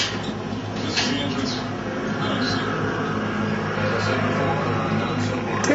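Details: A 50-year-old pet yellow-naped amazon (Amazona auropalliata) talks in short, human-like phrases such as "hi bird" and "I'll mow you down", with a person mimicking him over background music.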